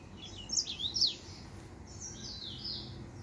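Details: Brief song fragment from a male finch: three or four thin, high chirps in quick succession, followed by a faint, drawn-out high note.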